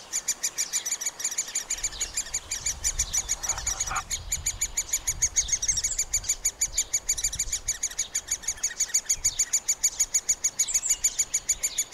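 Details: Middle spotted woodpecker young at the nest, fed by both parents, recorded on a Panasonic FZ2000: rapid, high, ringing chirps repeated about six to seven per second, with low rumbling noise in the middle section.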